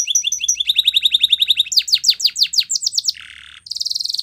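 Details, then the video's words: Canary training song: a fast run of repeated chirps, about a dozen per second, gives way to sweeping downslurred whistles, a low buzzy roll, a brief pause, then a high rattling trill. "Canary singing Bird Sounds At Its Best | Melodies Canary Bird Song"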